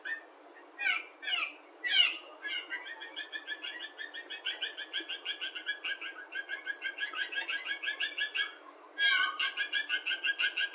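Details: Small flock of Blue Jays in spruce trees on a September 2nd morning giving strange noises: a few harsh, buzzy stacked calls, then long runs of rapid, evenly pulsed chattering notes, broken by a louder harsh burst near the end.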